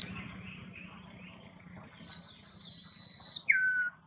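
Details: Common iora in the wild near its nest, singing one phrase: a long, thin, steady high whistle of about one and a half seconds, then a short lower note dropping away. A dense, shrill insect chorus runs throughout.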